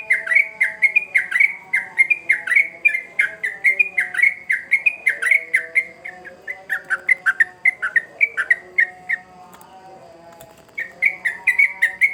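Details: Long, fierce burst of sooty-headed bulbul song used as a lure for young birds: continuous chattering of bright dipping whistles, nearly two per second, a short break near the end, then more notes over a faint low hum.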